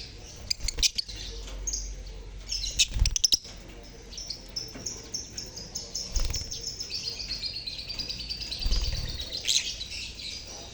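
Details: Lovebird colony sounds for prompting silent lovebirds; sharp clicking rattles early on, then a long stretch of high, rising and falling chirps from many birds with thumping knocks in the background.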